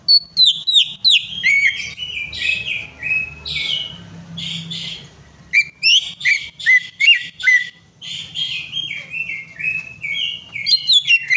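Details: Greater green leafbird lure song, meant to make a quiet bird sing: dense, fast whistled phrases with sharp slurred notes and buzzy bursts, almost continuous, dropping briefly in the middle.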